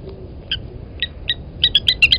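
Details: Blacksmith Lapwing at Gowrie dam waterhole, Djuma Game Reserve, Sabi Sand, South Africa, 27 August 2020, protecting its nest as an impala approaches: sharp metallic 'tink' notes, spaced then quickening into a rapid run of five over low rumble.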